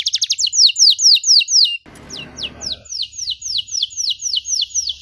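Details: Canary song for training young canaries: quick run of falling whistled notes, a noisy rustling gap, then slower, evenly spaced whistled notes over a steady high hum.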